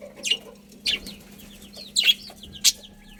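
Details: Budgerigars chirping in a colony: four sharp, separated high chirps spaced roughly a second apart, with soft twittering between them and a low steady hum.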